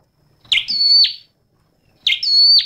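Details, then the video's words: Flowerpecker song, two phrases: a short, sharp attack, a sustained high pure whistle, then a brief falling flick, separated by a second of quiet. "Tiếng chim Sâu Đầu Đỏ hót chuẩn"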